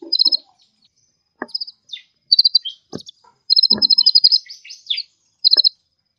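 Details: Vigorously singing kolibri ninja sunbird giving short high buzzy trills and sweeping chirps, one longer run of rapid notes near the middle, and sharp clicks or taps between phrases.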